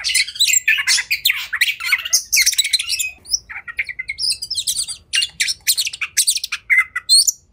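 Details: Oriental magpie-robin (kacer) in a cage, fighting and agitated, delivers dense scratchy chatter and trills blended with whistled notes, rapid and continuous, with a brief quieter pause midway.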